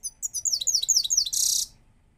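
A goldfinch gives a bright, fast run of high twittering notes, about eight quick slurred chirps, ending in a dry buzzy trill.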